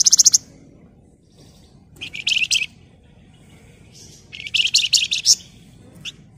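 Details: Flamboyan bird in an emotional 'ngebren rapat' song, dense and rapid: separate bursts of fast, high, rattling notes, each a tight series of sharp chips, split by brief pauses; faint background hiss.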